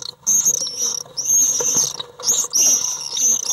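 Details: Nest box fight between resident common swifts and an intruder, July 2012: drawn-out shrill screeching phrases lasting up to a second, running almost continuously with slight dips, very close.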